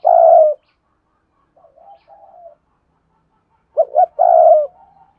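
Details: Wild-dove lure call from a decoy spotted dove, a long low coo, then faint soft cooing, then two quick short notes and another long coo trailing off.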